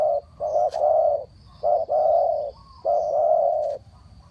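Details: Decoy spotted dove for bird trapping gives low, hollow cooing in short-then-long pairs, some coos drawn out nearly a second, with a faint high insect tone and a couple of sharp clicks.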